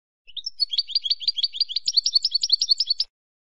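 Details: A Spanish goldfinch delivers a long, lively twitter: rising lead-in notes, then a quick chain of liquid chirps that climbs a little higher partway through, about three seconds in all.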